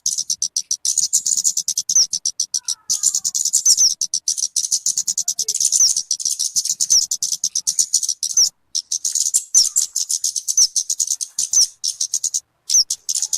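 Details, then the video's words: {'caption': 'Talokan, known also as kemade, for luring or tutoring birds: a sustained high, fast chattering trill with faint upslurred whistles and two short silent gaps near the end.'} "SUARA BURUNG TALOKAN/KEMADE COCOK BUAT PIKAT ATAU MASTERAN"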